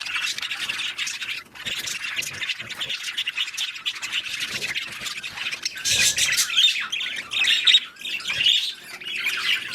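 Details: Budgerigars, also called parakeets, during mating and breeding, giving continuous high scratchy warbling chatter with squawky bursts, louder and busier in the second half.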